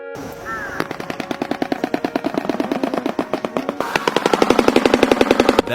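A shoebill's rapid, hollow bill-clattering runs like machine-gun fire, several dry knocks per second and growing louder, with a brief voice and tone at the start.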